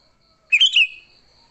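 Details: A single rich, bubbling whistled phrase from a Sooty-headed bulbul in fighting mood, a sound meant to lure other bulbuls, quickly rising then sliding down, with a thin continuous hum in the background.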